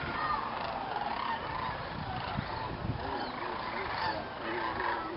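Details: At dusk in Indiana's Jasper-Pulaski State Fish and Game Preserve, a huge stopover flock of sandhill cranes gathers before going to roost in the swamp; a dense chorus of rattling, rising calls, with faint thumps and soft voices of onlookers.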